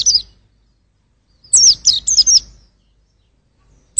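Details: Brief high twittering phrase from a white-eye: a quick run of four or five sharp, bright chirps after a pause, with a short note at the start and end.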